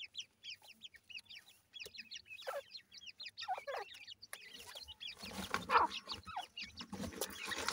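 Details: Grey francolin chicks peep in a busy, high-pitched chorus during the first half, then rustling and scraping noise take over.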